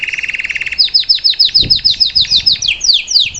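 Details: Salsa-style canary singing to teach a young bird: a fast buzzy trill near the start, then a run of repeated descending whistled sweeps, about three per second.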